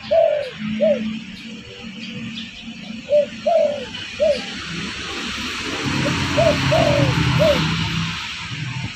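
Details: Spotted dove cooing as a lure for catching birds: several soft arched coos, some longer and slurred downward, half masked by growing broadband rumble and hiss in the second half.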